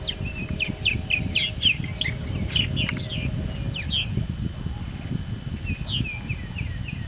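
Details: Purple martins at a small nest-building colony in south-eastern Indiana, in early May at mid-morning, give a rapid run of rich, gurgling chirps and croaks, a burst every few tenths of a second, over a steady low rumble of wind or traffic.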